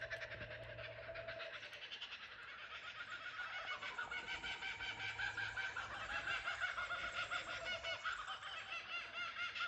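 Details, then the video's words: Kookaburras calling in chorus at Ballandean, heard from a cottage verandah: several birds overlap in a loud, rhythmic, cackling laugh that pulses steadily, roughly once a second, and swells louder toward the end. "Kookaburra sounds"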